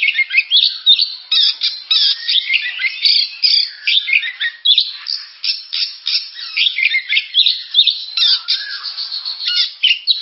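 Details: Continuous energetic song of an oriental magpie-robin, dense harsh and whistled notes mixed with squawky chatter, barely pausing across the whole stretch.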